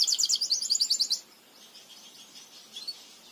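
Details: Belgian canary song for teaching canaries: a rapid, high, bubbling trill of repeated notes for just over a second, then a faint, distant trill continuing in the background.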